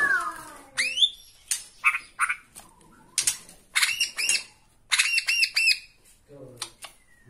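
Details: Bornean white-rumped shama singing emotionally at a rival from a single perch: a falling whistle, then scattered sharp notes and clusters of ringing looped phrases, somewhat quieter.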